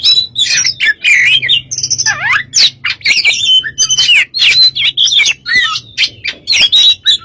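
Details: Oriental magpie-robin (kacer) song meant to set off other birds: fast varied whistles, steep descending slurs and chattering notes in an unbroken stream, with a low steady hum in the background.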